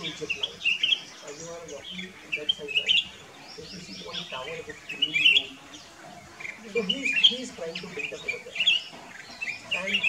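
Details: Black-crested bulbul song recorded at Kyari Village in Corbett National Park: a string of clear, warbling whistled phrases with quick up-and-down inflections, coming every second or two, while people talk quietly in the background.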